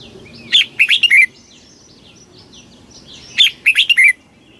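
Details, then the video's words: Red-whiskered bulbul delivering the rapid 'kích bổi' song: two crisp phrases of four quick, bright, slurred notes nearly three seconds apart, with soft high twittering in the background. "tiếng chim chào mào kích bổi cực nhanh"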